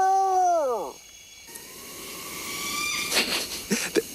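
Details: A Barred Owl at night near a forest campsite gives one harsh, wailing scream sliding steeply downward over about a second, followed by a faint steady hum and a few clicks and knocks.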